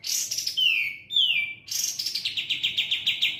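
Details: Sooty-headed bulbul singing energetically: buzzy chatter, two clear descending whistles, then a fast run of evenly repeated bright notes.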